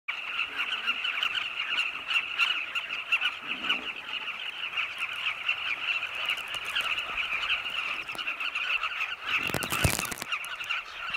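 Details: Carmine bee-eaters flying in flocks around their cliff nests at sunset in Zambia, hunting insects for chicks waiting in dug tunnels; a dense, continuous chorus of overlapping rolling calls, with a brief loud handling rustle near the end.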